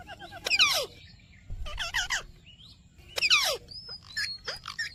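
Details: Rose-ringed parakeet mimicking speech with "Mitthu Mitthu": three rough, hoarse word-like bursts about a second apart, each sliding downward, over soft high whistles and a low background hum.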